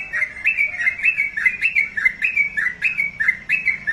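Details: Sooty-headed bulbul kept as a pet, delivering steady loud chirped phrases, each a quick up-and-down slur, repeated roughly twice a second throughout.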